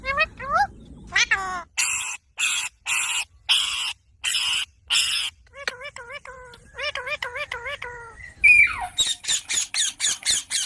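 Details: Parrot calling with rising harmonic whistles, then a run of loud, rasping squawks evenly spaced, followed by wavering, warbled notes and a fast series of sharp squeaks at the end.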